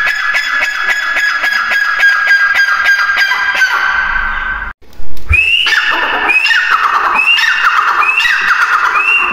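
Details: Grey francolin calling: after a long buzzy, harmonic-rich drone, a loud run of harsh, high notes begins, each sweeping sharply downward and repeated roughly every second.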